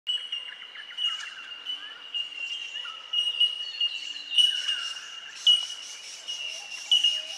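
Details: Bell miners, known locally as bellbirds, calling at Benarkin in south-east Queensland: a dense chorus of clear, ringing high tink notes overlapping continuously at one steady pitch, with softer chirps from other birds beneath.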